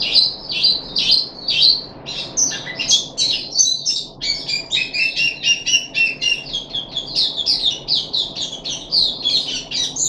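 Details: High chirps repeated quickly, then a dense stream of varied warbling and twittered phrases from a caged puff-backed bulbul, recorded 14 July 2021 on its third day of deworming treatment.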